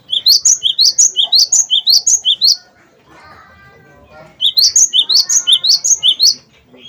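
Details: Cinereous tit in 'wingko' style, song used to prompt other birds into singing; a rapid run of high, bright two-part notes, then a pause with soft, lower chattering from other birds, then the fast repeated notes again.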